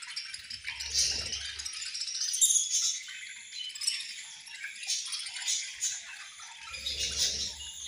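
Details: A flock of budgerigars chattering during feeding time: continuous high twittering and raspy warbles rising and falling in loudness, plus two short stretches of low rumbling thuds.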